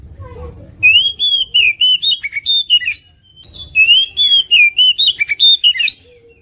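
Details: Competition oriental magpie-robin singing 'full isian tembakan mewek': two loud phrases of bright, fluting whistled notes, each about two seconds long and strung in quick succession, with a quiet gap between.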